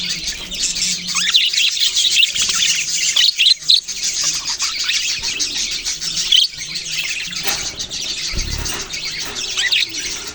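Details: Budgerigars chirping together, with layered raspy warbles and bright squeaks, a brief dip near the middle, and a low thump late on.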